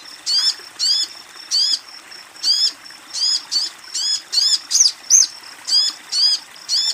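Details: Female sogon calling to a male, meant as therapy for a male that is silent: a steady series of bright high chirps with downward sweeps, about two per second, over a constant faint hiss.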